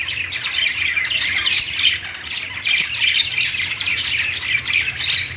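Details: Budgerigars singing on a perch in a pet store: a dense, continuous chatter of many birds, with harsh squawks and rapid chirps layered over each other and a low hum beneath.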